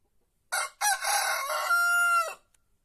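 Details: White rooster in a quiet Andalusian village among olive groves, crowing before dawn from atop its coop: one loud crow of two short rough opening notes, a harsh middle phrase, then a long sustained clear final note, about two seconds.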